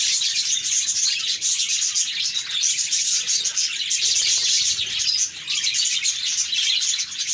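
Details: Happy budgies in full chatter, dense high chirps and whistled notes layered thickly over one another without a break.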